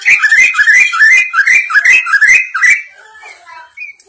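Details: Greater green leafbird kept for song training, giving a run of about eleven quick rising slurred whistles, bright and repeated several times a second, then fading to soft scattered chips.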